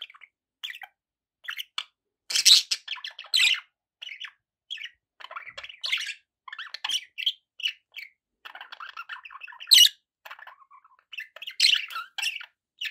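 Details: Pet budgerigars warble and chatter continuously. Rapid scratchy chirps mix with occasional louder squawks and sharp high peeps, in an uneven, busy flow with no long silences.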